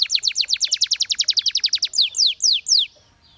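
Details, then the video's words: Canary delivering a quick train of falling chirps, about four per second, slowing into several longer sliding whistles before the song stops. "The Most Beautiful Canary Chirping Sounds"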